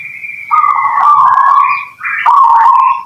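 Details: Cooing of a local zebra dove used to provoke other birds into answering: a soft higher note slides into a long, steady, throaty purring coo, then a brief pause and another sustained coo.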